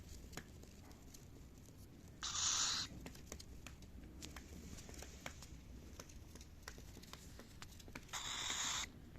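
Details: Cockatiel calling twice with brief, loud, raspy chirps about six seconds apart, over faint tapping and rustling noises and a low background hum.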